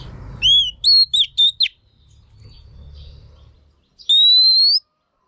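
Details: Female Oriental magpie-robin singing to stimulate males: a quick run of short, bright upward-slurred whistles, a pause, then one long, clear whistle rising gently in pitch.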